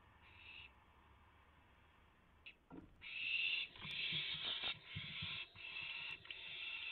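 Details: Owl at a nest where a rabbit is delivered before dawn, 3:38 AM, April 7, 2016; a brief hiss, then scraping and shuffling, followed by long loud rasping hisses broken by short gaps.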